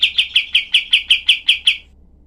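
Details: Cream-vented bulbul tutor song in the rapid, sharp 'tembakan' style: nine crisp high chips in quick even succession, then the series stops and only faint low hum remains.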